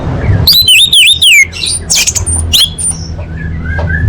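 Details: Song of an orange-headed thrush meant to coax caged birds into singing: a quick run of wavering whistled notes followed by scratchy bursts and thin high whistles, with low hum underneath.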